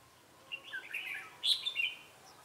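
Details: Single lively phrase from a decoy red-whiskered bulbul, "ché" song style, trapping site in Bình Phước, Vietnam, 25 June 2018: rolling warbled notes building to a loud bright squeaky ending.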